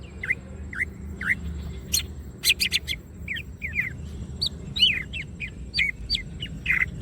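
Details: Greater green leafbird, wings open, starting with three evenly spaced downslurred whistles, then faster sharp chirps and slurred notes, over a soft low hum.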